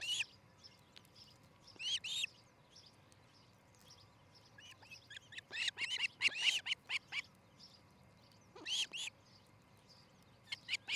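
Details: Osprey at a nest in Charlo, Montana, recorded by nest camera on a July 2018 morning: irregular bursts of squeaky, high chirping calls separated by quiet gaps over a faint background hum.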